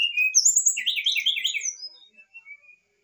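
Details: Lively brown-chested jungle flycatcher singing its varied fluted song, meant to rouse a lazy bird: a high whistle, a quick tumbling warble of notes, then a few soft thin whistles fading away.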